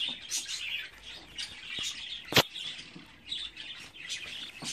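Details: Budgerigar chicks, 24 days old, chirp and chatter in high scratchy bursts, interrupted by a loud sharp knock midway and a few soft rustles.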